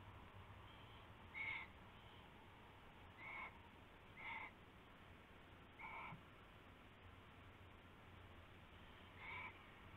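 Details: Owl before dawn on 19 February 2016 as a rabbit is passed and taken: five short harsh bursts spaced one to three seconds apart, with a faint low hum underneath.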